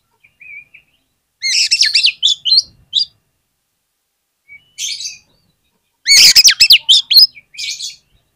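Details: Oriental magpie-robin song used as a lure (pancingan) to make other magpie-robins sing: high, rich bursts of slurred whistles and buzzy trills come in three main phrases separated by short silences, the last one loudest.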